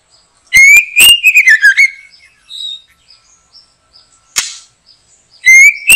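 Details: Rising and falling whistled phrase from a white-rumped shama during backyard bird trapping, followed by soft high notes, one sharp crack, then the start of another phrase.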